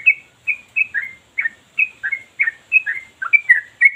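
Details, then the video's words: Yellow-vented bulbul pouring out unbroken ropel song, described as sharp and bassy: short gurgling two-part notes, mostly dropping in pitch, delivered about three each second in a steady run. "Gila! Trucukan Ini Gacor Tanpa Henti, Ropel Terus Kayak Mesin!"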